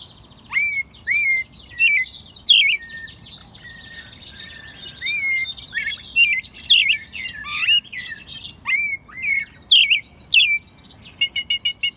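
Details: Hand-reared pet American robin in Mexico City, March 2020, in its second singing season and still slightly rough-voiced; a dense, almost continuous run of whistled and chirpy phrases, with rapid short notes toward the end.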